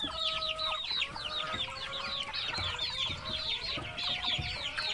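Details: Many baby chicks chirping together in a dense, continuous chorus of high, arched peeps overlapping without pause, with a few longer flat tones and faint low thumps underneath.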